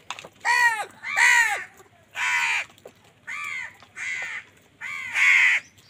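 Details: Harsh, nasal caws from crows fighting for food: six strong, drawn-out calls with a downward-bending tone, coming about one per second.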